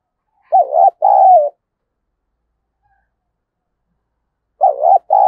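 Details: Spotted dove call to spur a decoy bird into fighting: a two-note coo phrase, a short warble then a drawn-out coo, repeated after about four seconds of silence.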